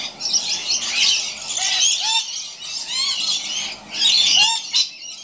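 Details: Two scaly-breasted lorikeets playing or perhaps fighting in a gum tree screech and chatter in harsh, high, overlapping bursts almost without pause, with a few short squeaky notes mixed in.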